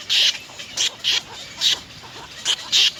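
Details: Three little egret chicks at the nest begging their mother for food, biting at her to be fed; six loud, harsh, hissing rasps, each about a quarter second, come in uneven bursts over three seconds.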